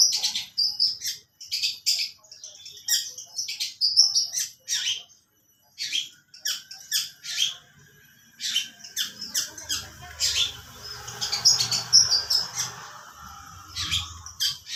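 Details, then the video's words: Long-tailed shrike copying lovebird sounds: rapid runs of harsh, squawky chatter and shrill chips, broken by a short silence midway, then denser scratchy notes over low background rumble. "Burung pentet isian burung love bird"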